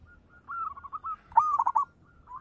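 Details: Local zebra dove, noted for a big, rich voice, delivers a short cooing phrase: a few low hoots, a pause, then a loud rolling burst of three or four bubbling notes.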